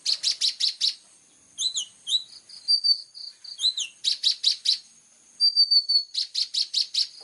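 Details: Plain-throated sunbird in lively 'full tembakan' song, clear-voiced. Rapid bursts of four to five sharp buzzy chips alternate with zigzagging slurred notes and long thin high whistles, all very high-pitched.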